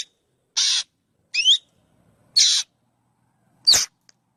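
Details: A black drongo alternates harsh broadband rasps with a rising double whistle, ending in a sharp, loud clicking note.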